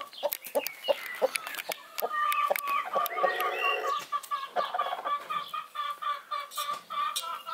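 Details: Brahma broody hen roaming away from the nest on her once-a-day outing to feed, drink, relieve herself and clean her feathers. Rapid repeated clucks, about four a second, over a sustained nasal tone, loud and insistent throughout.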